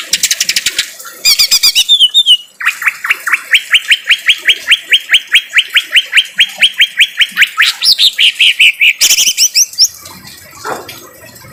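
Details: Harsh-voiced greater green leafbird song for training cagebirds: a long run of evenly repeated upward-slurred notes, about two per second, framed by fast chattering rattles and high whistled phrases.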